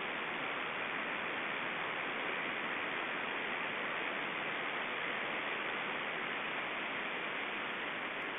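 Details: Constant loud rushing hiss, like a stream or static, with no animal call.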